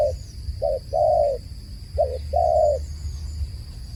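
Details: Low dove coos, each phrase a short double note and a longer held note, two and a half phrases in four seconds over a quiet steady high-pitched whine.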